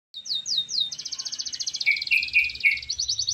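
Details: Canary in lively song: three sweeping rising notes, then a fast even trill of repeated high syllables, a few lower buzzy notes, and further rising sweeps at the end.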